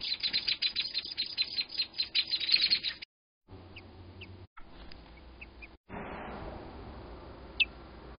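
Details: American robins at their nest while a crow attacks it: dense, rapid high-pitched chattering notes for three seconds, then only a few isolated sharp chips over quiet background hiss.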